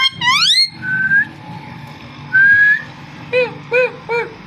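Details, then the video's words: Parrot voice: a sharply rising harmonic note, then two level whistles, then three short arched chirps in quick succession over a low background hum. "Amazing parrot so cute talking and voice"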